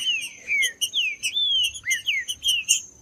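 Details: Green-winged saltator, song aimed at warming up a cold bird: clear, loud whistled phrases, long falling slurs, then a swooping rise and a few quick paired whistles, with faint background hiss.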